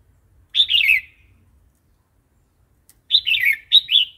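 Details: Red-whiskered bulbul singing in the 'wild song' style, a varied repertoire meant for playing to newly acquired or wild-caught adult birds and for teaching young birds; two short warbling phrases of slurred chirpy notes, the second longer and three-part, in quiet surroundings.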